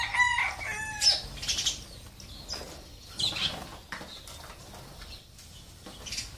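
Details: Sparrows visiting a water and food feeder at a home, giving short bright chirps in quick bursts, loudest at the start and then in scattered clusters, with soft flutters and rustling between calls.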